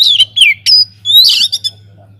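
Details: White-rumped shama in an aviary delivering loud song to get other birds singing: rasping, buzzy notes alternating with descending whistles and short chips, steady low hum behind.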